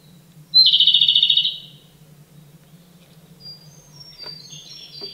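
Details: Japanese robin (Larvivora akahige) delivering a ringing high note that breaks into a quick, rattling trill of around a dozen pulses. Softer, thin high chirps follow, with a faint low hum throughout.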